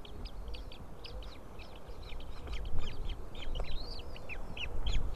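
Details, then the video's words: White-tailed eagle nest on 20 April 2016 at 7:38 in the morning, nest camera: the female feeds three small eaglets, the third hatched a day earlier, with fish piled in the nest. Dense high, thin chirps run in quick succession over low background rumble. "White-tailed eagle Anna feeding small chicks"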